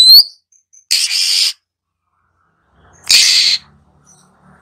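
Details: Kept female Oriental magpie-robin giving 'khè' and 'rít' calls used to provoke newly caught birds to sing. A brief whistled note, then two harsh, hissing bursts about two seconds apart, with quiet between.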